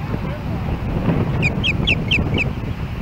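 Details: As another osprey approaches the nest in Hellgate Canyon, Missoula, Montana, on July 4, 2016, the resident osprey gives five sharp, high, whistled chirps about a quarter second apart. Steady low rumble comes from a nest camera.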